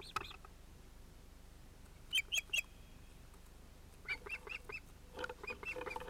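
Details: Finnish osprey nest on 31 July 2018 with a pair and two young probably males: a few sharp whistled notes, a pause, then softer rapid chirping at a distance.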